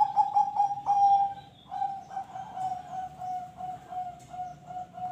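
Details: Zebra dove cooing against a noisy background: a few quick stuttered notes, then a long wavering series of coos with faint clicks and rustles throughout. Sung to encourage other birds to call.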